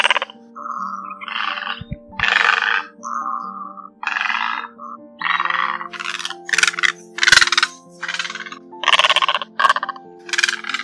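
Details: Two kinds of egret, large and small, male and female, calling to gather a flock, used as a lure: harsh, hoarse croaking squawks in bursts of about a second, a dozen in ten seconds, over a low hum.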